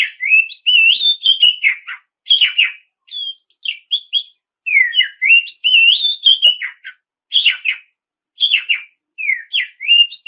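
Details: Oriental magpie-robin singing loud and clear, used as a lure to provoke rival birds into singing. Sweet whistled phrases wander up and down, with short gaps between bursts and quick slurred notes.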